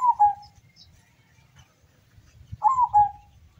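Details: Zebra dove from the slopes of Mount Sumbing, Windusari, Magelang, in a local singing contest in Central Java. A phrase is ending at the start. After a pause comes a full rolling coo of stuttered notes sliding down into a drawn-out tail.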